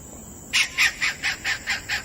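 A kingfisher gives seven harsh, raspy notes in quick succession, about four or five a second, over a faint steady high hiss.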